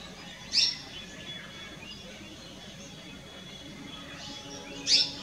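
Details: Plum-headed parakeet giving two sharp, shrill high calls about four seconds apart, over a faint steady whine and low background hiss.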